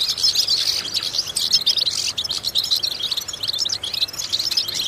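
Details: Goldfinch singing, meant to stimulate and train goldfinches: lively bursts of high twittering and liquid chirps, with short gaps and clustered ringing notes, bright and quick.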